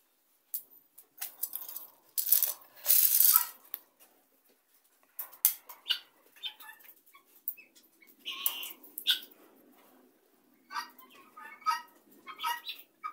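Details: Helmeted guineafowl gathered together as a flock, giving scattered harsh, harmonic calls in short bursts, mixed with clucks, bumps and a broad rushing noise early on.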